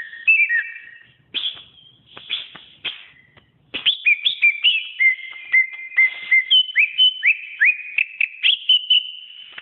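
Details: Varied whistled song of a greater green leafbird, recorded as a model song for training: slurred descending whistles, a quieter stretch of clicks, then rapid bright upslurred notes and sustained level whistles.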